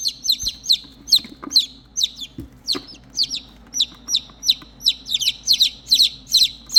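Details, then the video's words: Three motherless chicks calling for their hen: bright, shrill descending peeps from several birds overlapping in rapid bursts, with occasional thumps and rustling from movement. "chicks Chirping sound for mom"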